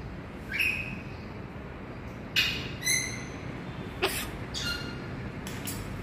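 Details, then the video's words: A macaw mimics a cough: about six short, raspy bursts scattered over six seconds, a few with a faint whistled edge, against a steady low hiss. "macaw imitating cough"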